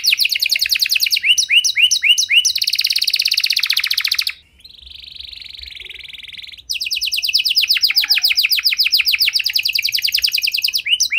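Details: Canary in long-duration song with special phrasing, used to stimulate stalled canaries: rapid repeated notes, rising chirps and a buzzy trill, a softer steady trill in the middle, then another long run of fast notes.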